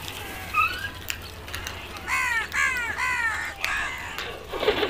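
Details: Crows giving a run of hoarse, grating caws, four or five strong harsh notes in quick succession after a couple of softer calls, each with stacked falling harmonics, against a low steady background hum outdoors.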